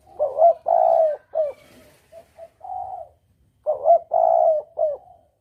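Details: Spotted dove lure call of the double-kuk style, used for hunting: two cooing phrases, each a short rising coo, a long husky mid-pitched coo and a clipped final note, separated by softer, quieter coos.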